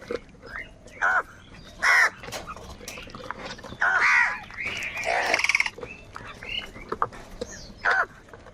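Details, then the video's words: Crows fighting for food, giving loud, harsh, nasal caws in short bursts about a second apart, some calls doubled, with a busy background of other bird chirps and rustling. "Crow sound of kaka - Crow bird live Crowing sounds | কাকের ডাক Crow Sound Crow ki Awaz"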